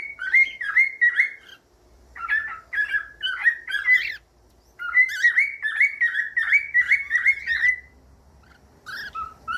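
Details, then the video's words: Cockatiel song meant for teaching cockatiels to sing: bursts of quick, warbling whistled notes, repeated in two phrases separated by short pauses, with a faint low hum underneath. "CANTOS DE CALOPSITA"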